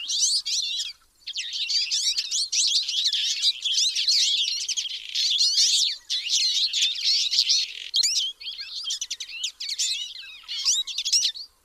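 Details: Twite chatter: bursts of fast, high, wiry chirping notes that overlap in busy runs, broken by short pauses of about a second, then resuming in bright clusters until the end.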